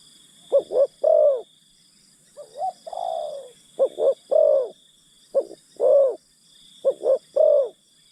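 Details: Luring wild birds, a decoy spotted dove gives rapid short-short-long coo phrases mixed with a wavering drawn-out coo, phrases about a second apart, with a faint constant high whine.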